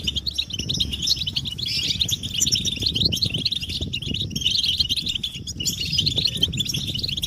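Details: Massed European goldfinch chatter used to excite males into song; a steady wall of high twittering from many birds runs over a persistent low rumbling background.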